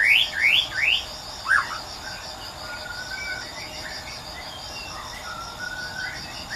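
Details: Persistent white-rumped shama in the wild. It opens with three loud, quick rising whistles and a fourth after a short gap, then only faint soft notes against a steady high insect chorus.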